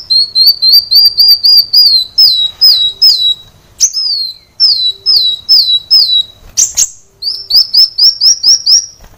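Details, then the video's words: Sunbird singing energetically on a caged-bird training recording: a rapid run of high, thin, down-slurred whistles at about two per second, with a few sharp chips and short gaps between phrases. "Kolibri Wulung ngedan | masteran Kolibri Wulung | Kolibri Wulung gacor | kicau Kolibri Wulung"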